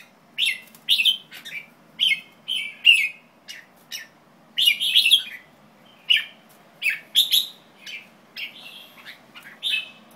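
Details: White-tailed jambul delivering a long series of short, harsh chirps in irregular bursts, sometimes doubled, with brief gaps, over a steady low background hum.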